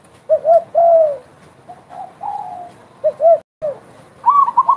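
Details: Spotted dove in full voice, giving deep two-note coos with a long falling note. A softer drawn coo follows, and a higher rapid series of coos enters at the end.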